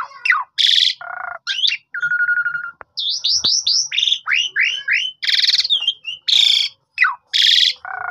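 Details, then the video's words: Asian pied starling singing steadily, recorded on a phone and used to coax silent starlings into singing: a varied run of harsh buzzy bursts, steady mid-pitched whistles and quick downward-slurred chirps, tightly packed with short pauses. "Burung Sederhana Ini Bisa Mengajak Burung Jalak Suren Lain Ikut Gacor Terus"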